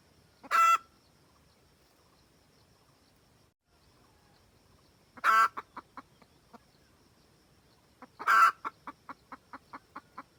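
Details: Wild red junglefowl hen calling the rooster, a recording used as a trapping lure: three loud, harsh cackle bursts a few seconds apart, the last one followed by a quick run of short clucks.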